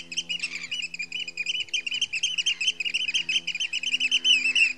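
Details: Heybridge Basin, Essex: a Eurasian oystercatcher's alarm, a fast run of high piping notes, somewhat uneven and overlapping, set against a constant low engine-like hum.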